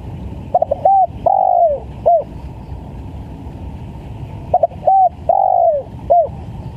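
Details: Lure recording of a spotted dove in full, vigorous voice. Twice a phrase is repeated, roughly four seconds apart: a stutter of short notes, a clipped coo, a long mellow coo drooping downward, and a final short coo, with a steady low rumble underneath.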